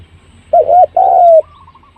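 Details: Spotted dove call for luring birds: a single phrase, a short two-part coo followed by a longer smooth coo easing downward, then a faint trailing note and low hum.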